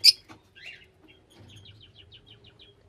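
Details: A lovebird gives a sharp, piercing squeak, then a run of soft, quick, evenly spaced high chirps over a low hum.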